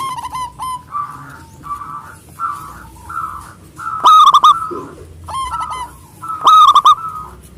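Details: Big-voiced local zebra dove singing to challenge rivals: drawn-out, slightly buzzy coos alternating with two loud, rolling trills of bright clipped notes.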